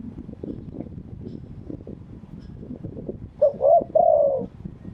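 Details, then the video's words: Spotted dove in Thailand cooing in the wild-bird phrasing style: after several seconds of rumbling background noise comes one phrase of two short coos and a longer, drawn-out falling coo. "เสียงนกเขาใหญ่ ขันสด คารมป่าแท้"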